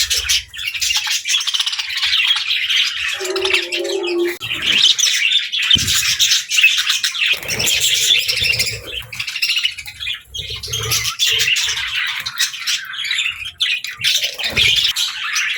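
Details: Happy pet budgerigars (Melopsittacus undulatus) chatter in a steady stream of high, scratchy chirps and warbles.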